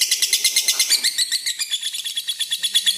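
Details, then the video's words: Red-eyed lutino lovebird giving its long ngekek, a trilling song used to draw out and train other lovebirds. A rapid, shrill chatter of high notes runs without pause at about eight notes per second in a small indoor space. "Lutino mata merah ngekek panjang | LB Ngekek Panjang"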